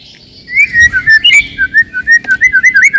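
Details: White-rumped shama song meant to provoke rivals and test young birds: short burst of clear whistled notes, wavering and slurred, repeated quickly after a quiet start.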